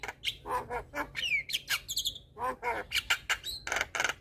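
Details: Black-winged starling song played to trigger quiet starlings: a jumbled, varied mix of harsh squawks, slurred whistles and buzzy notes in quick succession.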